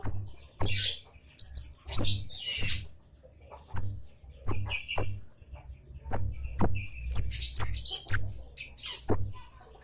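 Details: Scarlet-headed flowerpecker lure calls, loud "citt" notes meant to bring birds in: a steady series of piercing, very high, thin chips, singly and in quick pairs, with brief twitters and soft low thuds.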